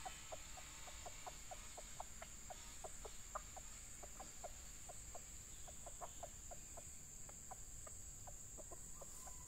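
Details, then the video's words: Junglefowl during lure training of a young male decoy that meets a fierce wild male gives short, clipped clucking notes, two or three a second in loose runs, over a steady high insect drone and low rumbling background noise. "Ayam Hutan Pikat Jantan"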